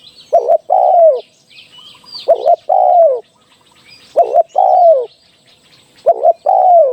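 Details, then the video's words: Decoy call of a large dove for trapping: a brief clipped note then a sustained, falling coo, the pair repeated four times at roughly two-second intervals, thin high chirping of other birds in the background. "เสียงต่อสด เข้าเร็ว 100%"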